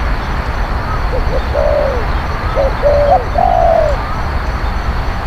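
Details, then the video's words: Low spotted dove coos played to lure wild birds: a few short notes build into longer, level-then-falling coos. A faint higher whistled note from another bird sounds twice in the background. "ต่อนกเขาใหญ่ เสียงนกเขาใหญ่"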